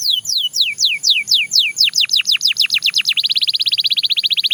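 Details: A Belgian canary gives slow, clear, descending slurred notes that quicken into deeper-dipping sweeps and then a rapid, steady roll of short notes.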